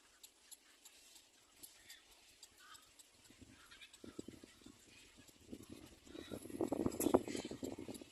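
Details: A standing little black cormorant (Microcarbo sulcirostris) gives low, rough grunting and clicking notes in quick bursts that grow louder toward the end, after a quiet start.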